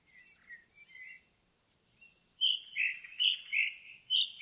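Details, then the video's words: Forest indigo bunting: faint warbled notes at first, a short silence, then a loud bright series of clipped paired notes, about three per second, finishing on a high note. "Indigo Bunting in the Forest"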